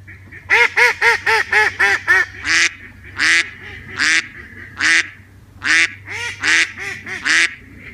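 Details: Duck giving its 'wek wek' call: a fast run of six nasal, buzzy quacks, then about seven louder, harsher quacks spaced roughly half a second to a second apart, over a steady low hum.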